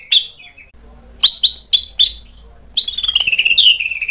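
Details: White-rumped shama provoked into answering song. A faint whistle comes first, then a few sharp high chips, then a rapid rattling trill that slides downward.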